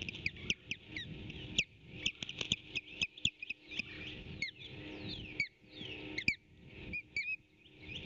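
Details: Osprey at a nest on a nest camera, 8 April 2018 around 11:18, calling as an intruder tries to steal a fish. Rapid, sharp whistled chirps, often slurred down, come in dense irregular bursts over a low background rumble.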